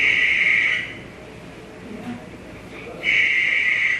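Barn owl giving two long, harsh, hissing screeches, each just under a second, separated by a quiet gap with faint background murmur.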